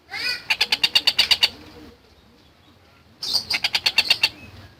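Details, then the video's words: Long-tailed shrike (tengkek buto) singing vigorously as a masteran tutor recording: two bursts of rapid, harsh, evenly spaced notes at about three per second, each burst lasting over a second, separated by a quiet pause. "Burung Masteran Tengkek Buto Gacor"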